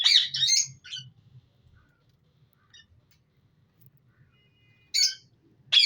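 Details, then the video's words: Breeding-colony budgerigars give a short burst of scratchy squawks, then a long near-quiet stretch with a faint low hum and a brief thin whistle, ending in two more harsh calls. "Australian Parrot ki colony || Budgeis colony breeding || parrot voice natural sound"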